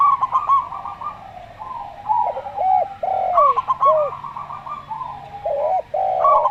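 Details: Local zebra dove with a slow voice, mixed with a calm-voiced Javan derkuku dove: rolling, stuttered coo phrases alternate with low, drooping hooked coos, overlapping almost continuously in a quiet room-like setting.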